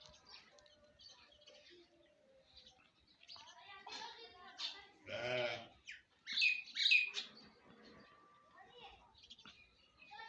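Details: Myna in the morning with a varied song: soft chirps and warbles, a loud grating croak, then bright, sharp whistles, with quieter chatter between phrases.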